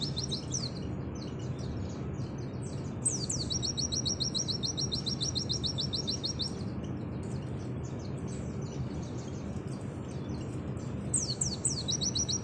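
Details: Oriental white-eye singing 'nembak' style for tutoring: scattered high chirps, then a long fast trill of repeated sharp notes and a few descending slurs, against constant low-pitched background noise.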